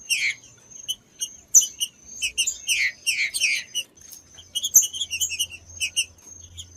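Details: Green-winged saltator song for warming up captive saltators: a busy opening of loud downward-sweeping whistles and chirps, a short pause, then softer clipped whistled notes with faint low rumble behind.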